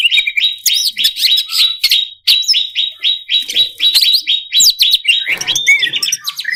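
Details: Greater green leafbird, a competition-bird training song with varied fill-ins meant to stir up rival birds: dense, rapid, high chirps, slurred whistles and buzzy notes over a steady sustained high tone, with no break.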